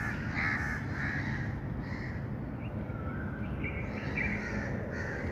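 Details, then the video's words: Birds calling outdoors: harsh, broad cawing notes come in uneven bursts, some short and some drawn out, over a steady rumbling background noise. "birds chirping sound"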